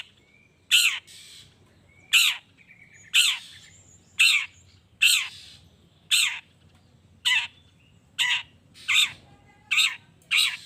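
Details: Long-tailed shrike calling to provoke other shrikes into answering: eleven harsh, rasping squawks, each dropping in pitch, spaced about one second apart, with faint thin whistles between them and a low hum beneath.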